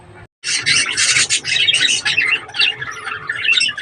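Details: Breeding budgerigars chatter in a dense, scratchy stream of buzzy squawks and warbled notes after a brief silent gap, almost without pause.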